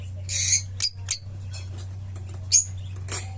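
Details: Pet opaline lovebird making a scattered series of piercing high chirps and short squeaky calls, spaced unevenly over a few seconds, against a continuous low droning hum.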